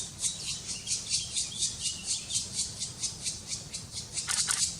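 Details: Black woodpecker chicks begging as they are fed, in Slovenia's Karst in May 2018: a rapid chorus of hoarse, hissing high notes pulsing about twice a second, growing louder and busier at the end.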